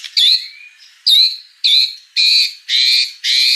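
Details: White-rumped shama in gacor singing mode giving harsh, buzzy squawking notes, six loud rasping bursts spaced about half a second apart.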